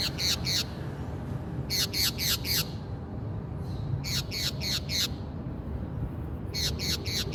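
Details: A Brazilian green parakeet gives harsh, scratchy squawks in quick bursts of three or four.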